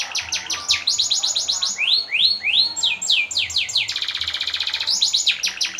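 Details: Domestic canary song meant for training and contest birds, full of long rolling trills: fast descending sweeps, slower rising slurred whistles, then a dense rapid trill and crisp repeated high notes, with a faint low hum beneath.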